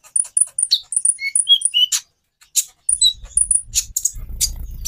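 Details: Sunbird known as konin singing thin, high whistled notes and sharp chips at varying pitch, with a faint low rumble of background noise in the second half.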